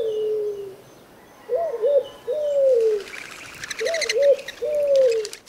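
A turtle dove gives low, soft coos: a quick double note followed by a longer falling coo, repeated twice. Faint chirps from other small birds are also heard.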